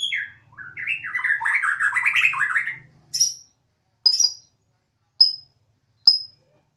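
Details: Caged Bornean white-rumped shama on a home terrace: a dense, scratchy warbled phrase in mid pitch, followed by four separate sharp high whistled notes spaced about a second apart.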